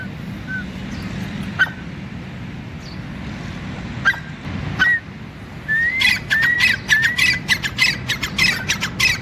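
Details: Grey francolin on the ground, playing in soil: a few isolated faint whistled notes over steady background noise, then from the sixth second a burst of rising whistled notes mixed with rapid harsh squawks.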